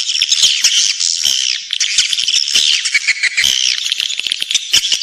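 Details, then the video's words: Swiftlet calling sound for attracting nesting birds: a thick wash of high twittering with sharp clicks and short slurred squeaks, pausing briefly before resuming. "Suara panggil walet menggemma"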